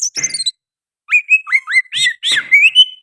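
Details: Oriental magpie-robin singing with sooty-headed bulbul phrases: a high scratchy note, a pause, then slurred falling whistles and a rising fluty flourish.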